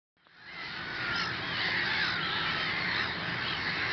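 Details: In a breeding area, a dense, continuous din of many Mediterranean gulls calling at once: nasal, wavering, rising-and-falling yelps overlapping into a steady colony chorus.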